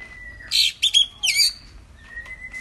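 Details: A Lesser Green Leafbird gives three quick bursts of bright, scratchy chattering notes over a steady thin high whistle, a lure recording played to make caged leafbirds that have stopped singing start singing again.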